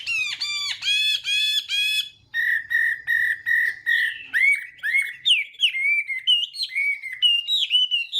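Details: Chinese hwamei giving a morning fighting song to train its voice: rich repeated harmonic notes, a run of steady identical whistles, then varied upslurred and dipping whistled phrases.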